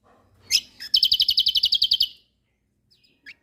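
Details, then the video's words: Lombok kecial kombok white-eye, from a songbird training recording. A sharp downward squeak, then an even trill of about a dozen bright, piercing notes lasting around one second, followed by near silence. "Masteran Burung Kecial Kombok Lombok Gacor Full Tembakan Mewah"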